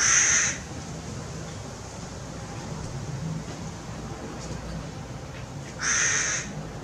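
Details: Hooded crow, a tame bird in Maalot-Tarshiha, Israel, utters two harsh, grating caws about six seconds apart, each roughly half a second long, with low background rumble between them.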